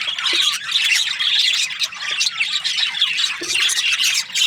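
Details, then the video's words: Group of budgies, Australian parrots, chirping: continuous high warbling chatter with sharp squawks and a few brief lower clicks mixed in. "Australian parrot Budgies chirping sounds"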